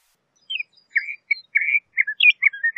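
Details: Brief snatch of LeConte's thrasher song: a few short whistled and warbled phrases in quick sequence.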